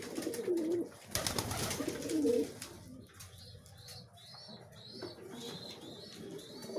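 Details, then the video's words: Pigeons vying for food: a couple of low, murmuring coos at the start and a loud burst of pecking noise, followed by a run of high, repeated chirps from other birds. "কবুতর, পাল্লা দিয়ে খাবার খাওয়ার প্রতিযোগিতা চলছে।"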